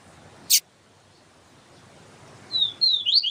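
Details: Double-collared seedeater, siu siu melody, a female calling to arouse the male: after a lone sharp click and a long hushed stretch, a brief flurry of high, swooping whistled notes begins.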